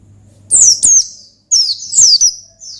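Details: Oriental white-eye in lively ngalas song, used to summon a rival: two loud high descending whistled notes, a brief gap, then a longer run of sliding high notes fading off.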